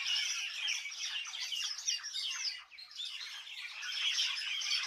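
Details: Many birds chirping in a village, a steady mass of high twittering calls, softening for a moment in the middle before building again.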